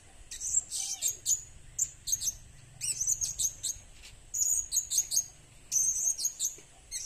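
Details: Blue-crowned hanging parrot lure calls: repeated clusters of thin, piercing chirps roughly every second, irregular in spacing, continuing throughout over a faint steady high tone.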